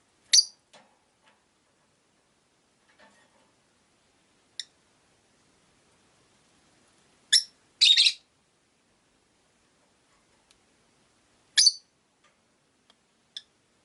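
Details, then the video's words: Caged rosy-faced lovebirds, five birds by a window, call in scattered sharp high chirps: one early, a few faint ticks, then a loud pair near seven to eight seconds and another chirp near twelve seconds. "Lovebird Chirping Sounds"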